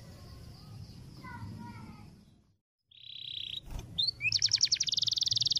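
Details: Canary long roll tutor song: faint warbling over background noise, a brief pause, then a buzzy steady note, a click, and a loud rapid rolling trill of evenly repeated notes.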